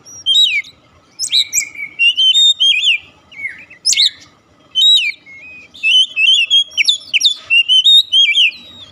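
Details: Oriental magpie-robin in full song, used to trigger singing in a bird that has stopped. Long, energetic sequences of rapid whistles, trills and sharp upward-flicked notes are broken by short pauses.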